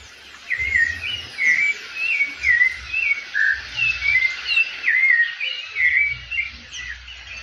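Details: Rufous-bellied thrush in breeding season delivering a steady run of melodious whistled phrases, each short and slurred, repeated roughly every half second to second, with faint high chirps and low background rumble.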